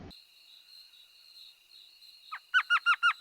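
An elf owl gives a quick run of five high, yelping notes that sound like chattering laughter, over a steady high insect-like whine.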